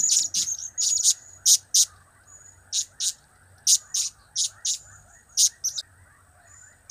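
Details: Blue-crowned hanging parrot busily calling, with notes from its cap-cap, kiak-kiak and crap-crap trio: irregular bursts of shrill, sharp ticks, often paired, with thin high whistles between them and low hum behind.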